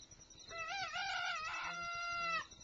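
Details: Black silkie rooster crowing in the morning: one drawn-out cock-a-doodle-doo lasting about two seconds, a harsh opening rising into a long, steady, slightly falling harmonic note, with faint low background rumble.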